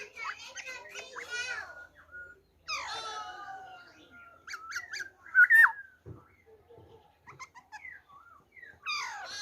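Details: Black-throated laughingthrush singing its wild-type song, recorded 26 December 2020: varied whistled and slurred notes, some harsh rapid stacked chatter early on, a long steady whistle, then scattered rising phrases between quiet gaps.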